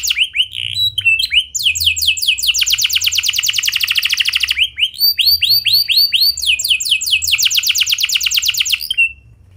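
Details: Canary singing a clear ngeroll rolling song as a lure for other canaries: bouncy, high, rising notes alternate with long rapid trills and rattling rolls, one phrase flowing into the next for nearly ten seconds.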